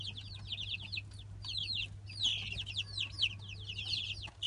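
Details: Chorus of Light Brahma chicks aged three weeks, from a 2017 hatch, giving shrill descending peeps in rapid overlapping runs, a louder burst of sharper chirps midway, over a constant low electrical hum.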